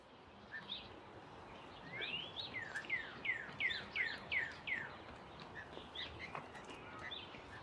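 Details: Blue jay at Wilde Lake, Columbia, Maryland, in April during nest building: a quick run of about six down-slurred, fairly clear notes, roughly three per second, after a rising sweep, over a steady outdoor hiss.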